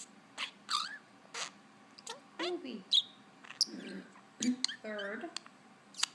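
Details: Pet parakeet indoors in a small room, making weird noises and talking: high, squeaky mimicked words mixed with sharp chirps and short whistles at uneven intervals, with a person's voice repeating words to it nearby.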